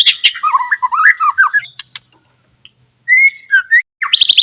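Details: White-rumped shama song used as a lure to get other shamas singing; quick warbled slurred notes, a pause, then a clear whistled phrase and a bright rapid trill at the end.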